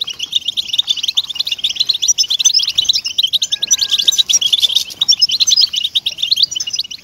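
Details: European goldfinch song used to stimulate captive goldfinches to sing; a rich, fast twittering of high tinkling notes and metallic trills, sustained and dense from start to finish.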